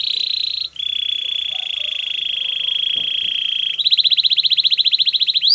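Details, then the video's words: Belgian canary singing for training: a long, even, high sustained rolling tone lasting several seconds, then a rapid pulsing trill of quick repeated notes. "Your canary is silent ? turn it around so it will sing a long | Belgian canary"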